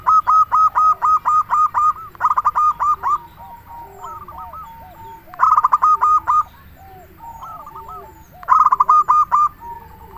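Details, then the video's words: Local zebra dove singing vigorously, a lure bird meant to make other doves answer: four bursts of rapid stuttering notes running into a clear rolling coo, with softer, lower coos heard between phrases. "Perkutut Lokal Gacor RAJA PIKAT Ahlinya Bikin Semua Burung Perkutut Langsung Nyaut"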